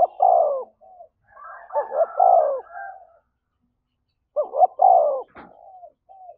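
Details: Spotted dove in the thổ voice style, stirred to coo for a fight: two full hooting coo phrases of quick double notes and a long falling note, with soft trailing murmurs, a higher overlapping coo, and a brief click.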